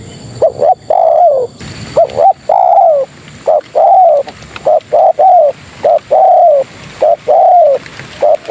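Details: Spotted dove female calling males in a busy run of coos: short double notes and longer falling coos follow closely, almost without pause, for the whole stretch.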